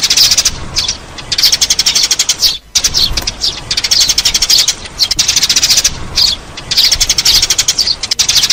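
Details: Eurasian tree sparrow lure calls: a loud, continuous stream of rapid, sharp chirps pulsing in rough bursts, with a short quiet gap near the middle. The notes form a buzzy, chattering wall of sparrow sound.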